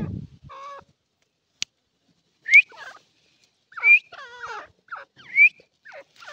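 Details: Irani partridge calling: short harmonic notes sliding downward, several paired with a sharp rising whistle, given in bursts about every one to one and a half seconds with quiet gaps between.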